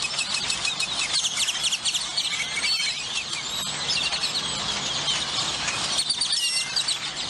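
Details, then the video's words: A crowd of grackles calling together in McAllen, Texas: a steady wall of high, squealing and creaking notes, with scattered upward-sliding whistles and occasional sharp clicks over a faint low background hum. "Pleasant Grackle Sounds to Relax to"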